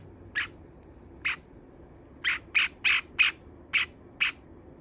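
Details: Caged pet Java sparrow complaining loudly about a second bird nibbling its feathers; loud, sharp, buzzy chips given in an uneven series, several bunched quickly together, with a quiet indoor background.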